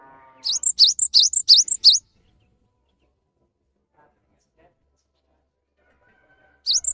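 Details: Lure song of a gacor cinereous tit, known locally as gelatik batu, meant to provoke quiet young or stressed caged birds to answer: five quick high, squeaky two-part notes in a rhythmic burst, long silence, then the phrase restarts.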